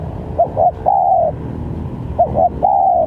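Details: Spotted dove calling on a trapping lure track: two phrases, each with two short hooked notes leading into a drawn-out, gently falling coo, over a low rumbling background.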